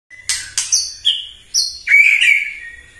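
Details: White-rumped shama singing in the morning as a lure to provoke other birds: loud sharp clicks followed by clear whistled notes at stepped pitches, ending in a long warbling phrase.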